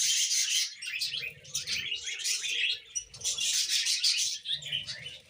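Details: Several pet budgerigars kept together chatter in dense bursts of high, scratchy chirps and warbled twitters, pausing briefly between bursts, with faint low household noise beneath.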